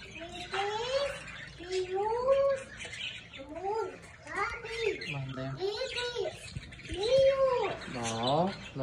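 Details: Orange-fronted parakeets at play chatter with rising, warbling squawks and nasal whistled notes, many overlapping in a steady stream, with a person's voice faintly in the background.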